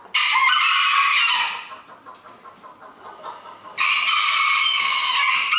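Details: Roosters at a 2022 crowing contest in Villers-la-Ville, organised by a local small-livestock club: a loud, rough crow is followed by a lull of fainter background crowing, then a second strong crow carries to the end.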